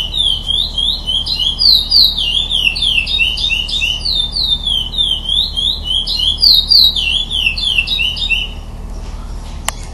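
A bird sings a long, fast, continuous run of high chirps and sweeping whistled notes, lively and unbroken, fading out near the end over a low hum.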